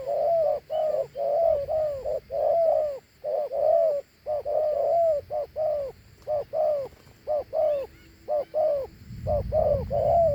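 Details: Thổ Hú style dove, a big bird, cooing in two-note phrases: soft rounded hoots in quick series, about one note per second cluster, with a low rumble near the end.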